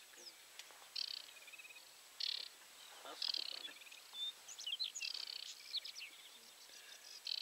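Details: Wild aquatic warbler calling, watched through a telescope: repeated short rattling bursts of harsh, buzzy chatter every second or so, interspersed with thin high whistles and chips, grouping into a longer busy phrase near the end; light background hiss.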